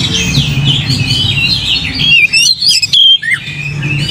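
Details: Lure recording of an Oriental magpie-robin singing to provoke a rival into song. Loud clear whistles and rapid rising and falling slurs come in a burst midway, set against a busy wash of other bird chatter and low rumble.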